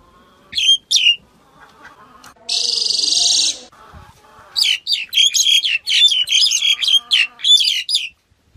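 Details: Black-collared starling song: a couple of sharp notes, then a long harsh hiss lasting about a second, followed by a rapid, uneven string of chattering, squeaky notes with whistled accents.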